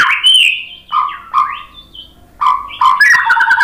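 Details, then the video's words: Singing white-rumped shama used to goad other birds into song: varied whistled slides rising and falling, interspersed with harsh buzzy notes in a rapid, rich phrase. "suara MURAI BATU Untuk Memancing BUNYI biar ikut GACOR NGEPLONG"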